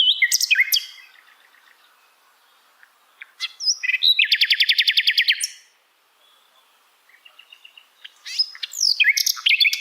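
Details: Asian brown flycatcher training song for other songbirds to imitate. A burst of sharp high chirps is followed by quiet twittering, then a fast rattling trill of repeated notes, a silent gap, and renewed squeaky high chirps.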